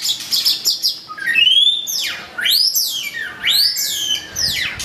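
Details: Curve-tailed white-rumped shama challenging a rival: a fast series of high chips gives way to loud sweeping whistles that swoop up and down, about once per second.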